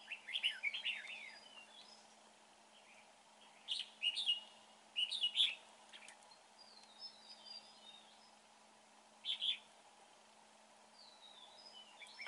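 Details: Red-whiskered bulbul with a fine voice, recorded during bird trapping: short bursts of bright, warbled, chirping phrases at about one, four, five and nine seconds, separated by quiet gaps, over a steady low hum.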